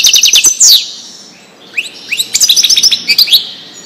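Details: European goldfinch singing Wedani-style song for teaching young goldfinches: an opening fast twitter, a quiet gap, then rising whistled slurs building into chattering, tinkling notes.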